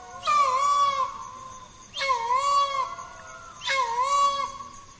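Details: Green peafowl in Phayao province, northern Thailand, giving three loud, nasal, wavering trumpet-like calls, each about a second long and spaced under two seconds apart, over a steady high insect whine.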